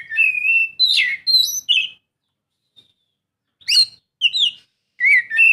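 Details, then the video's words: Oriental magpie-robin singing, meant to coax a quiet bird into song: a rich run of clear whistles, rapid slurred notes and scratchy chirps in bursts, a pause, then more varied whistled phrases. "Kacer mana yang gak lasung bunyi dengar suara kacer ini"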